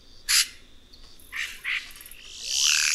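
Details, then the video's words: Red-rumped cacique (guaxe): a loud harsh note, two softer scratchy notes, then a swelling noisy rasp with a rising sweep. "Canto do Guaxe - (Cacicus Haemorrhous)"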